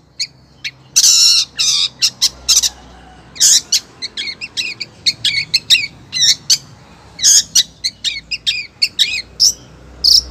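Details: Calling to a male, a female long-tailed shrike gives scratchy harsh notes mixed with clipped high chirps and paired twitters, delivered in fast irregular series across the whole stretch.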